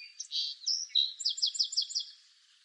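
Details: Song sparrow of eastern North America singing two or three separate high whistled notes, then a quick trill of about six sharp, slurred notes, all in under two seconds.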